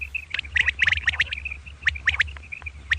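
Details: Common quail calling in the morning, given as a double 'kirk karkar' call: short clipped high notes in quick clusters, mixed with harsh, buzzy rasping bursts, over a low steady rumble.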